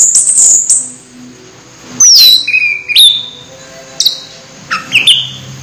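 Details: Orange-headed thrush close to moulting, singing a softer passage of high thin whistles, a descending slurred note and a few separate whistled phrases over a low background hum.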